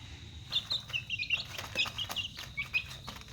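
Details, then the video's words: Chicks at dinner time giving rapid, high, thin peeps in quick irregular bursts over a steady high insect drone. "Dinner time chicks"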